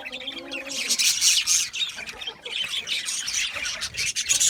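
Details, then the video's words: Budgerigars chirping: dense overlapping high chatter and squeaky warbles, busy and continuous with a few sharp tweets, several birds calling at once. "Cute Budgies chirping Sounds | Budgies relaxing Sounds | Budgies parrots Sounds"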